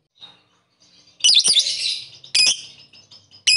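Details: Lovebird calling rivals: a faint chirp, then a loud harsh burst of high chattering notes about a second long, followed by two more short sharp bursts.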